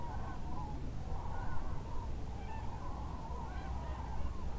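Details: A flock of Common Cranes at the Lac du Der-Chantecoq migration stopover in northern France, where thousands roost and leave around daybreak to feed. Loud, rolling, bugle-like calls overlap continuously over a low wind rumble.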